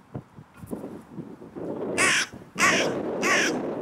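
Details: Wild carrion crow in a park, shouting while being fed cashew and Brazil nuts, gives three harsh caws roughly half a second apart after rustling and soft tapping sounds.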